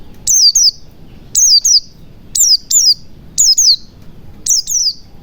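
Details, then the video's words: White-eye sound played as a lure to prompt silent white-eyes to sing again: piercing high chirps sliding downward, mostly in quick doubled bursts, roughly one burst per second over faint low background noise. "pancingan pleci macet bunyi agar cepat gacor"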